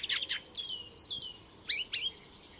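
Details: Brief phrase of an Icterine Warbler, a skilled mimic, at a Swedish reserve: two harsh chirps, a pair of drawn-out whistles, then two loud, piercing downslurred notes.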